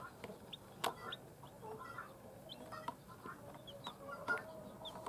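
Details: Just-born chicks beside their hen make a few sparse, high, short descending peeps against steady background hiss, with occasional sharp taps and knocks.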